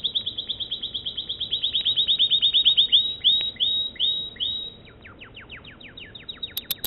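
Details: American Singer canary in full song, opening with a rapid, bright trill of rising notes that slows into broader swooping whistles, then a sparse series of thin downward-sliding notes; a few sharp clicks at the end.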